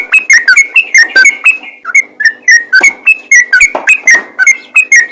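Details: Yellow-vented bulbul in full voice, calling out to draw replies from other bulbuls: rapid bubbling, whistled notes tumbling up and down in quick succession, with sharp clicking accents throughout.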